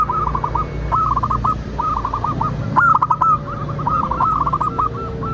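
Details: Zebra dove of local stock, played to prompt other doves to sing and reply: run after run of quick, evenly spaced cooing notes, nearly continuous, over low background noise.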